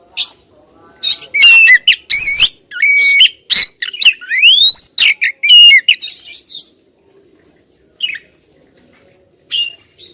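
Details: A female Oriental magpie-robin calls at a male in quick loud bursts of whistles, harsh squawks and one long rising slur, then falls quiet apart from a few faint isolated notes.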